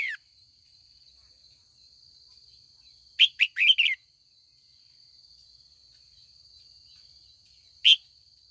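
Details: Female red-whiskered bulbul, kept for training, calling in the afternoon to provoke wild-caught older males into competitive song: one brief bubbly phrase of three to four quick chirpy notes, then a lone chirp, over a steady thin high whine.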